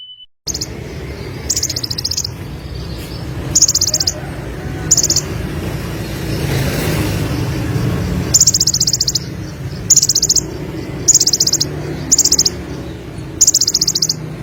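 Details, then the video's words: Olive-backed sunbird singing in lively gacor style: short bursts of rapid, very high buzzy trilled notes about once a second, with pauses, over a steady low rumble like passing traffic and a mid-clip noise swell. "BURUNG KONIN SUARA GACOR FUL MATERI 100% JERNIH || KOLIBRI"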